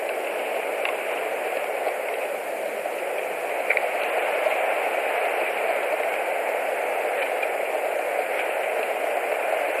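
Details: Constant mid-pitched hiss, like rain or electrical noise, with a few faint ticks at a Latvian eagle nest camera, and no calls.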